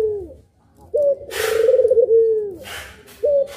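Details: Two puter pelung doves heard on a training recording: a short clipped note, then a drawn-out, quavering coo that sinks in pitch at its end, followed by the start of another phrase, with faint hissy rustling behind.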